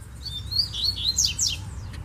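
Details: Double-collared seedeater singing in bamboo at a distance: a fast, high phrase of slurred whistled notes, rising and falling, then sharper downslurred notes near the end, over low background rumble.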